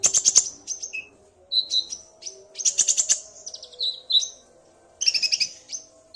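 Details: Excited male common iora answering a female; bursts of rapid stuttering high chirps alternate with single clear whistled notes, groups repeating roughly every second with short silences between.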